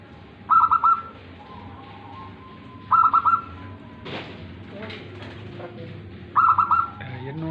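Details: Local zebra dove, tame, performing its song: three quick stuttering coo phrases roughly every three seconds, each a tight run of four soft rolling notes, with a faint click and low background noise between.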